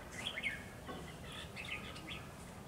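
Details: Red-whiskered bulbul used as a decoy bird for trapping, recorded 10 November 2020; soft, quick warbled phrases of short rising and falling whistled notes, fairly faint over a low steady background hum.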